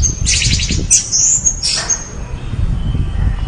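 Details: Orange-headed thrush singing high, hissy chattering phrases and thin whistles, fading to a faint drawn-out note with low background rumble.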